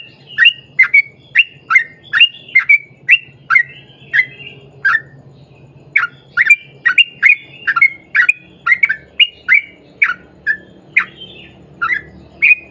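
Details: Sooty-headed bulbul singing a long 'ropel panjang' run meant to prompt other bulbuls to answer; a steady stream of quick, fluty chirps, a brief gap near the middle, then dense notes resume.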